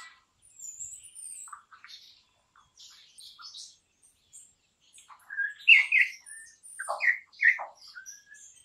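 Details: A campo troupial (Icterus jamacaii) sings loud, rich whistled notes in uneven bursts that grow stronger midway, mixed with thin, high chirps and squeaky twitters.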